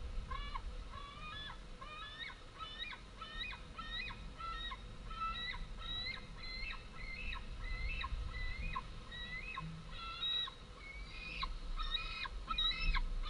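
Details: Two big fledged white-tailed eagle young screaming for food at the nest they have long since left, 11 August 2014, amid wing-flapping as females arrive with small prey. Rapid, irregular stream of harsh, harmonic yelps, about three per second.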